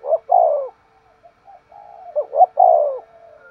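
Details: Caged decoy spotted dove calling in the 'thúc gù' style, its voice called sharp: a short note, then a long falling coo, a soft murmur, two quick rising notes and a second drawn-out descending coo.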